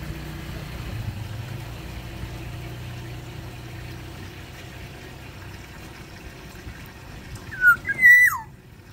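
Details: Black-naped oriole in an aviary gives a short burst of two or three loud, fluty whistled notes near the end, over a steady low engine-like rumble.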